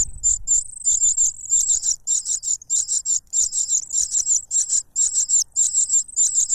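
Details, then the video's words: Cuckoo chick loudly demanding food from its foster parent, which stops its mouth with a butterfly; one drawn-out high note, then a rapid run of shrill pulsed bursts, over a dozen in a row. "The cuckoo bird is too noisy when trying to grab food杜鹃鸟抢食太吵闹了"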